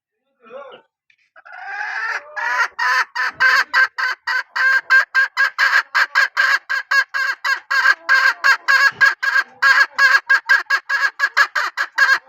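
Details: Hen from a strain praised for its calling voice: after a short opening note, a loud, rapid run of harsh, evenly repeated syllables continues for about ten seconds without pause, quickening slightly toward the end.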